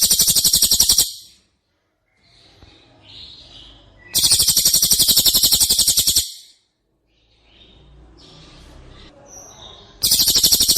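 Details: Rapid machine-gun rattles of a white-rumped shama, kept as a master recording for training: three long, loud, evenly pulsed bursts. Quieter twittering and whistled notes sound between the bursts.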